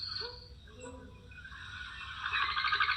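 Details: Mourning Dove taking off: the squeaky, rapid, pulsed whistling twitter in the last second comes from its wings, not its voice, after faint thin tones and quiet room hum.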